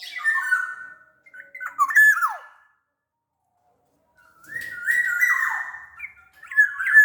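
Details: Lure song of a big Sumbawa black-naped oriole: clear whistled phrases around two kilohertz, one ending in a steep downward slide, then after a gap a drawn-out whistle with rough, squawky overtones.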